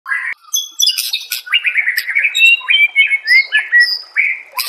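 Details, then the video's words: White-rumped shama song from a master recording for training songbirds: rapid varied whistled phrases, some rising and some falling, mixed with sharp clicks and chattering notes. "Masteran murai AMPUH"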